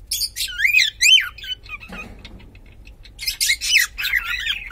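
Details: Pet cockatiel, male or female unknown, whistling clear wavering notes that rise and fall, a short pause, then another burst of looping whistles with harsh edges.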